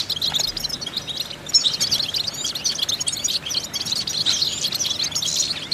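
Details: European goldfinch vocal exercise: continuous high chattering twitter of quick tinkling notes and short rolled trills, fairly even in loudness.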